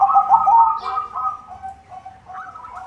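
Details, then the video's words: White zebra dove (perkutut putih) in full song: a soft, rolling coo, a run of quick trilled notes sliding around one low pitch, fading then returning. "SUARA PERKUTUT PUTIH GACOR irama bagus, untuk pancingan semua jenis perkutut"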